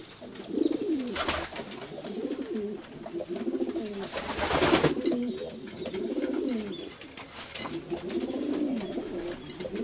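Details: Gentle, wavering pigeon coos rise and fall in slow rolling phrases, spaced a second or two apart, over a steady hissy background with a couple of rustling bursts.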